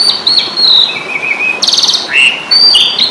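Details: Jalak suren, the Asian pied starling, singing its fighting song on an Indonesian master recording: long thin whistles, a falling slurred note, then a harsh buzzy rattle and bright rising squeaks.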